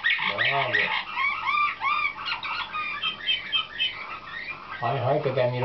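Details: Slavujar canary hatched in 2013, training for competition, sings rapid chirping and looping whistled notes in quick succession, framed by lower, harsher sounds at the start and end.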